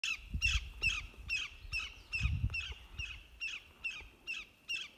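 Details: Greater Yellowlegs alarm call in flight: loud, ringing 'tew' notes, about a dozen in five seconds at a steady, urgent pace, over low wind rumble.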